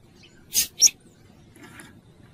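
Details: Female double-collared seedeater call used to excite a male: two quick, high, scratchy chips in close succession, then a faint softer note, with a low background hum.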